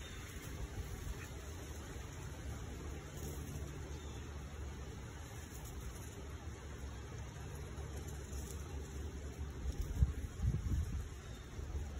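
Only low, steady rumbling noise like wind or distant traffic is heard, with no animal calls.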